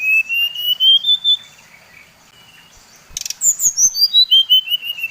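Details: Bali-type brown-chested jungle flycatcher singing to provoke rivals: a gently rising whistled phrase, a lull, then a steady series of whistles descending from high to mid pitch.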